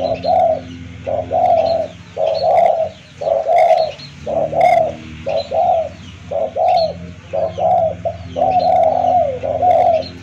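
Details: Spotted dove lure call for attracting wild birds, with rounded cooing notes repeated roughly once a second in short runs, some slightly drawn out, and faint higher chirps and a low hum behind.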